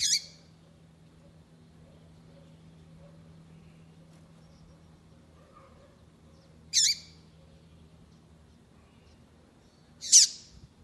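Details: Three brief, high, buzzy chirps, spaced several seconds apart over a low steady hum, uttered by a female double-collared seedeater whose calling is meant to get a male singing.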